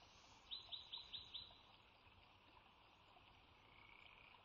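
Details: Bald eagle pair at the Sauces nest on 3 March 2017, as the resident female lays the first egg of her second clutch; a quick series of five high, thin chirping notes, about five per second, over steady faint background hiss.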